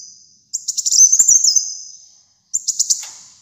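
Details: High-pitched song of the kolibri muncang sunbird, used to train caged birds. A rapid jingling phrase with stuttering notes gliding down fades away, and a second short burst of sharp twitters follows.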